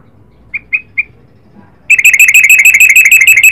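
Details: Yellow-vented bulbul, the Garuda type: three short clear notes, then a loud, fast run of ringing, bubbly notes repeated about three times a second until the end.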